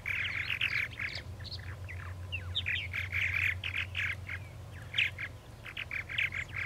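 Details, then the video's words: At a purple martin nesting colony, many birds chatter together in dense, overlapping chirps and gurgles, with low rumble beneath. "Purple Martins"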